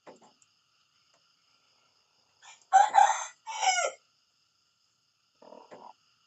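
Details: Rooster in the morning giving a short, harsh crow of two rough bursts, the second one bending downward. Faint low clucking can be heard before and after.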